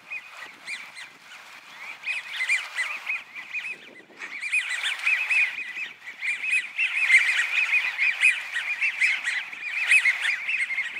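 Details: Flock with an American wigeon wintering at Donggang Township, Taiwan, 30 November 2020; a continuous mass of short whistled and chattering notes, briefly dropping away around the fourth second, then resuming more densely.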